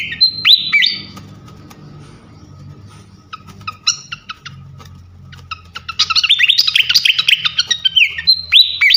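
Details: Flycatcher song from a recording played to train songbirds: short slurred whistles, quiet ticking over a low droning hum, then a busy twittering burst and more whistled slurs.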